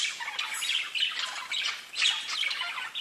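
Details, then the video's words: Parakeets chatter to each other in a dense, continuous stream of high, scratchy chirps and squawks, several birds calling over one another without pause, singing that shows they feel safe and content. "Parakeets Bird Chirping and talking to each other"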